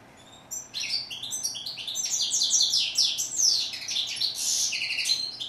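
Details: European goldfinch starting after a half-second hush into a continuous, energetic twittering song of rapid high chirps, slides and buzzy trills that grows denser toward the end.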